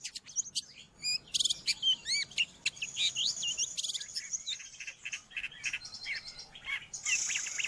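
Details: Long-tailed shrike song meant for training pet birds or attracting wild ones: twittering chirps, curved whistles and a buzzy high note, varied and fast, with a faint hiss behind.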